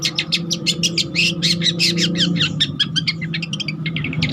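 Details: Long-tailed shrike (cendet trotol) giving continuous song used for masteran or pancingan training: a rapid stream of mixed squeaky, warbled and buzzy notes without pause, over a low steady hum.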